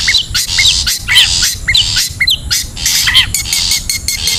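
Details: A wild long-tailed shrike recording used to lure birds. It gives rapid rasping squawks about twice a second, interspersed with brief whistled slurs and steady short tonal notes.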